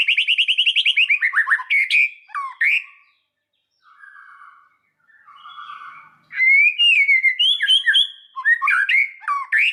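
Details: Singing white-rumped shama (murai batu) as a lure recording: a rapid run of bright whistles opens, soft quieter notes follow after a pause, then loud varied whistled phrases and chattering flourishes return.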